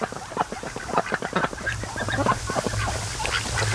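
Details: Ducks raised by their owner resting at a lake one sunny afternoon; short, harsh quacks and chattering notes come in quick bursts, with a faint low hum and water noise behind.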